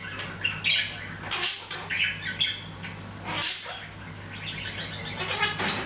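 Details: Pet Hahn's macaw chatting to itself unobserved, giving a near-continuous stream of buzzy chirps, harsh bursts and murmured notes over nearly six seconds, a faint electrical hum in the background.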